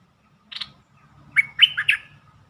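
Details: Bulbul lure song for exciting birds: a single buzzy chip, then a rolling phrase of clear, warbling whistles that rise and fall.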